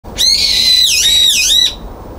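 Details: Brown-eared bulbul on a balcony, 9 February 2022, screaming after being barred from the feeder: one loud, harsh, drawn-out shriek lasting about one and a half seconds, high and steady with two brief downward dips, then quiet.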